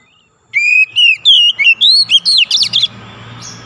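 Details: Magpie-robin (kacer) song played to coax a silent bird into singing; an energetic run of varied whistles and slurred notes for over two seconds, then faint background hiss.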